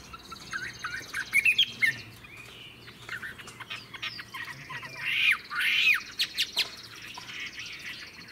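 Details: Mature wild-caught Chinese hwamei singing: loud, varied bursts of sharp whistled and harsh squawky notes at mid-high pitch, clustered around 1.5 and 5–6 seconds, with quieter twittering between and a faint steady background hum.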